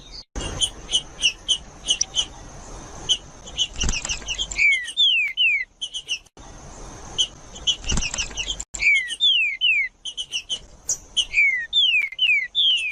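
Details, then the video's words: Green-winged saltator song used to stimulate other saltators into singing and to train chicks: clipped repeated notes building into loud clear whistles that slide steeply downward, given in series, with a background hiss and a few soft rustles. "ESQUENTAR TRINCA FERRO COM TRINCA FERRO CANTANDO"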